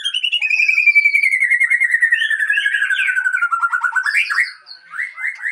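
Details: White-rumped shama (Murai Aceh) breeding stock delivering a long buzzy trill that glides slowly downward, overlaid with bright warbles, then closing with short rising whistled notes.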